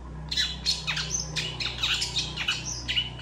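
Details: Long-tailed shrike (cendet) singing vigorously, a master song used to train other birds: harsh, squawky notes sweeping down, repeated about every half second over a steady low hum.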